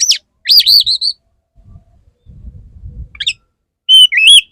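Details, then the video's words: Male Oriental magpie-robin courting a female, singing loud warbled whistles that wobble up and down, sharp downslurred notes and steady whistled tones, with brief low rumbles between phrases. "Pancingan burung kacer jantan perayu burung kacer betina gelis"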